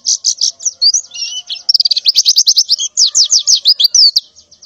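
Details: Female white-eye in breeding condition calling to males in the morning: high chirps, a few lower buzzy notes, then a quick even series of sharp descending chirps.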